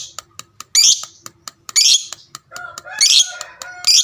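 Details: Lovebird of the fighter type, giving a long chatter meant to provoke other lovebirds to answer. Harsh, buzzy high-pitched bursts in three main outbursts, separated by sharp dry clicks and short squeaky tonal notes.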